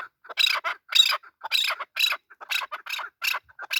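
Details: Harsh, grating calls of a male chukar partridge, about two per second, each a rough broad burst with soft lower notes between.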